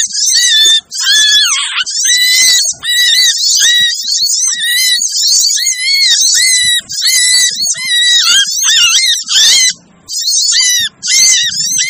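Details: Crimson sunbird lure calls meant to attract hard-to-lure birds: almost unbroken shrill, harsh chatter with a repeated lower flat whistle, and only very short pauses between phrases.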